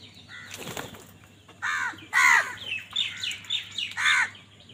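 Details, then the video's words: Crows squabbling over food: loud harsh caws come in a tight cluster in the second half, over a busy background of thin, repeated chirps from smaller birds and a faint low hum. "কাকের ডাক Crow Sound Crow ki Awaz Loudly | Crow bird Fight for Food"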